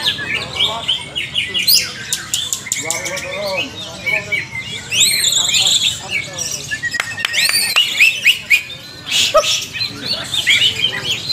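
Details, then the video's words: Several caged greater green leafbirds singing together in the energetic 'ngalas nembak' style: varied squawks, sweeping whistled slurs, clicks and sharp rapid chirps in bursts, with busy overlapping phrases throughout. "Latihan Bersama Burung Cucak Ijo Part 2 Ngalas nembak rajin"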